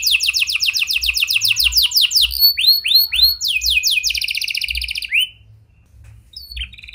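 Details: Lure song from a canary with prenjak and lovebird style phrases, used to set silent canaries singing: rapid descending trill notes, a few slow rising whistles, a buzzy fast trill, then near quiet with soft chirps.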